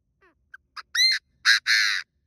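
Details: Chinese francolin kept as a lure bird, giving its call to attract wild birds: soft introductory clicks, a rising whistle, then two loud grating sustained notes ending the phrase, no other sounds.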